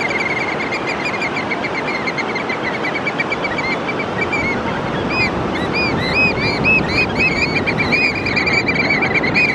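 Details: Oystercatchers whose calling sounds like laughing. Many high, shrill piping notes pour out in quick overlapping series that grow busier in the second half, over a steady roar of wind or surf.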